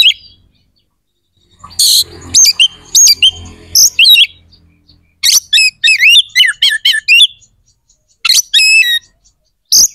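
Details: Oriental magpie-robin singing vigorously to stir rivalry and breeding urge in other magpie-robins: bursts of harsh rasping notes alternating with rapid trills of sweet looping whistles, in phrases separated by short silences.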